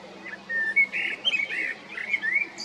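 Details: Male common blackbird singing in April or May 2022 at Jarun and Prečko, Zagreb, Croatia: a loud phrase of clear, mellow whistled notes rising and falling, ending in a higher squeaky flourish.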